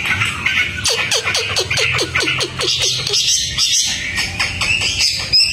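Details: Outdoor song of a tame Hwamei: a quick string of bright falling notes, then scattered high chirps and trills over a low steady hum in the background.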